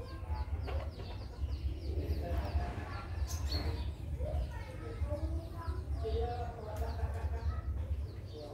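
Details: Red junglefowl giving scattered, irregular clucks and short harmonic calls, a few every couple of seconds, over a steady deep rumble with faint voices.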